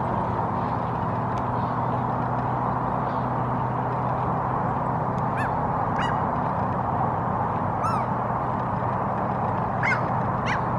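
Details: Common gull (Larus canus) standing on a rock and preening in Helsinki, Finland, in April: brief, nasal calls with a rising-falling shape at irregular intervals, partly masked by steady loud low rumble and hum.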